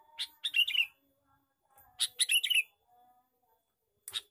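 A male Sooty-headed Bulbul gives two quick bursts of bright, bubbly chattering notes about two seconds apart, then a short final chirp. A faint thin whistle sounds in the background.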